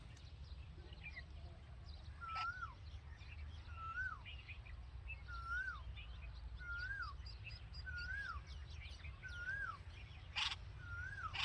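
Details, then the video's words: Red-vented bulbul by a nest holding nestlings, with the mother present: a steady series of seven whistled notes, each held then rising and dropping, repeated about every 1.3 seconds, over busy high chirping and a sharp click. "Red Vented Bulbul Nest With Babies And Mother Chirping Sound"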